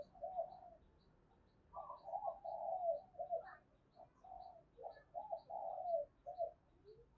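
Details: Spotted dove coos played as a decoy to stir wild doves into cooing: a series of muffled, throaty notes and drawn-out coos over a steady hiss with faint regular ticking.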